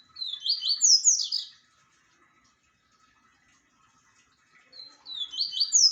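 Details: Double-collared seedeater delivering two separated bursts of fast, high, descending chirped notes, with several seconds of near silence between them.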